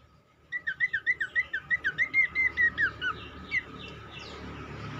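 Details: Cingcoang lure song meant to get other cingcoang singing: a rapid run of about a dozen bright, wavering whistled notes in a steady series, then a lone note, with background hiss and hum.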